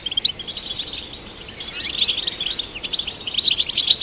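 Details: European goldfinch song: continuous high, rapid twittering with tinkling and buzzy notes, rising and falling in loudness, over a faint background hiss.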